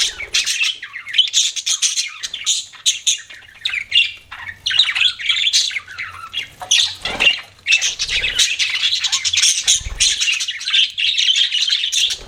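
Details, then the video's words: Pet budgerigars chirping and squawking in rapid, harsh chatter, the warbled notes crowding together almost without pause. "BUDGIES CHIRPING SOUND"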